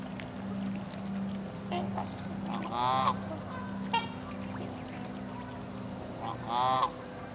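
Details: A captive trumpeter × whooper swan hybrid at Kellogg Bird Sanctuary, Hickory Corners, Michigan, gives two loud, brassy, bugling honks about four seconds apart, with a shorter note between them, over a steady low hum.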